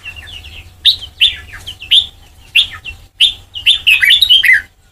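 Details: White-cheeked red-whiskered bulbul in training toward the Sông Kon song style: short, bright, slurred whistled phrases in bursts about a second apart, ending in a fast jumble of warbled notes, with a low steady hum beneath.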